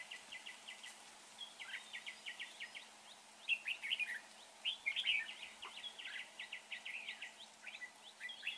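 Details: Red-whiskered bulbul, in a trapping setting, noted for a good voice: long sequences of quick, evenly spaced chirps, broken by brighter warbled bursts in the middle, over a low background hum.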